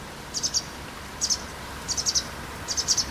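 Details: On 12 April 2017, shortly before dusk, a white wagtail gives bright, high chirps in quick clusters of two to three notes, four bursts in about three seconds, over a quiet background.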